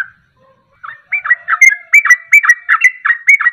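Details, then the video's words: Sooty-headed bulbul ropelan song meant as a lure so other birds join in: a brief pause, then a burst of fluty, bubbling double notes rolling rapidly one after another. "Ropelan Trucuk Ini Ampuh Untuk Pancingan Langsung Pada Ikut Ropel"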